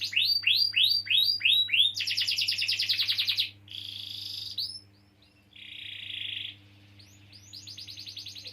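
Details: Canary song played as a lure to prompt young or silent canaries to sing: rapid repeated rising swoops, then a dense buzzy roll, a brief pause, and a steady trilled tour before fast chattering notes resume.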